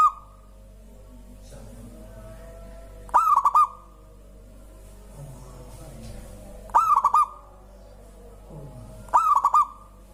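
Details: Local zebra dove, said to get other birds singing, giving the end of one cooed phrase then three more rhythmic bursts of quick mid-pitched notes at irregular intervals; faint lower bird sounds between.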